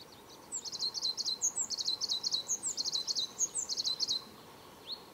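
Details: On Gran Canaria, in Tamadaba Natural Park in March 2010, a Tenerife blue tit gives a rapid run of high, buzzy chattering triplets with thin ticking notes above, roughly four seconds long, over faint steady background hiss.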